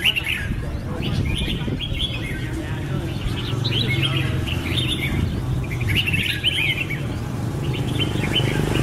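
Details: Red-whiskered bulbul (Pycnonotus jocosus) song: short, bright, chirping phrases repeated every second or so, over a steady low rumble.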